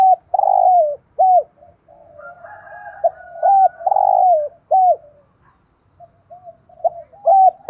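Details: Spotted dove cooing, a recording used for training decoy doves to answer: repeated low, hoarse coo phrases of short curved notes and a drawn-out rough note, with quieter coos between them.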